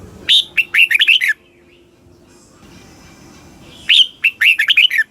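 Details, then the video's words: Red-whiskered bulbul song from Thailand, used to excite caged birds and teach young birds: two bursts of bright, fluty warbled phrases, each about a second long, separated by a pause of over two seconds with faint background hum. "เสียงนกกรงหัวจุก ร้อง ริก เปิดให้นกฟัง ยั่วให้นกคึกจัด"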